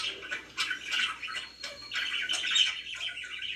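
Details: Pet budgerigars chirping indoors in a relaxed setting: dense, scratchy warbling chatter with short squawks and quick tweets, bursts overlapping almost without pause.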